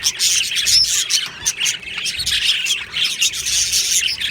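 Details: Flock of budgies in an aviary on 22 June 2025 chattering busily, bursts of rapid squeaky chirps and grating notes rising and falling, many voices overlapping, a faint low rumble beneath.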